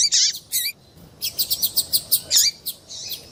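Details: Calls of a female double-collared seedeater meant to excite a male into singing for tournaments: a few high, buzzy chirps, then a steady run of about eight evenly spaced tweets, then a couple more squeaky notes.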